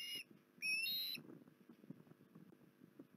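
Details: Two high whistled osprey notes, the second longer and climbing, followed by low scratchy rustling; recorded at Port Lincoln on 19 January 2021.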